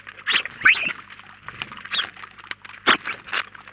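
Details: Scattered short chirps from house sparrows at a busy feeder in Collado Villalba, several louder notes spaced about a second apart over quieter chatter.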